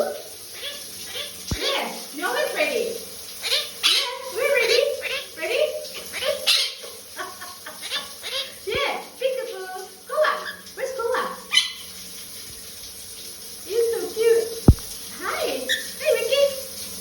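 A monk parakeet chatters in quick bursts of squawky, speech-like notes over a steady hiss of spraying water.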